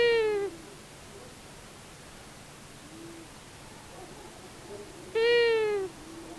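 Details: Long-eared owl pair, male and female, visiting a common buzzard nest in Tiszavasvári, Hungary, filmed by solar-powered nest camera on March 23, 2022: a nasal call ending, a quiet gap, then another drawn-out, slightly descending call.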